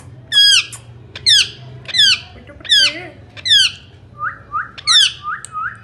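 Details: Indian ringneck parakeet, described as a talking bird, repeating harsh, bright descending screeches about every 0.7 seconds, followed by a short run of softer rising chirps and a final screech.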